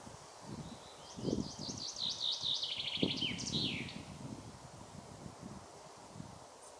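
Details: Common chaffinch singing: a descending series of bright repeated notes from about 1.2 to 3.7 seconds, falling in pitch and ending in a short flourish, over low rustling background noise.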